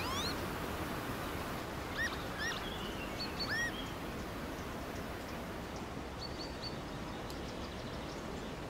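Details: Northern lapwing at a newly made shallow-flooded farmland wetland on a sunny day with a strong cold north wind. A few short swooping notes rise and fall in the middle, with thin high bird notes later and steady wind noise throughout.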